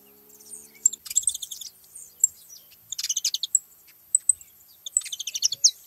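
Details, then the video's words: Saffron finch gathering, several birds singing: high chirped notes and bright twittering bursts in clusters, with a low steady hum in the first second. "festa dos canário da terra na seva"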